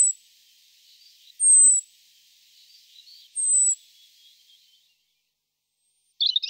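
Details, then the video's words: European robin (Erithacus rubecula) gives thin, very high drawn-out notes about two seconds apart, with faint twittering between and a short scratchy burst at the end. "Κοκκινολαίμης Erithacus rubecula"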